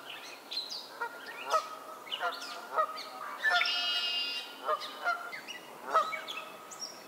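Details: Canada geese in a spring swamp in Maynard, Massachusetts, May 2024: repeated harsh, nasal honks with strong overtones, about seven in seven seconds at uneven spacing, over high chirps and whistles of other songbirds.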